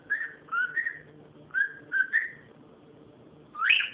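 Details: Cockatiel whistling: several short wavering flat whistles in quick succession, a pause, then one loud rising sweep at the end, low room hum underneath.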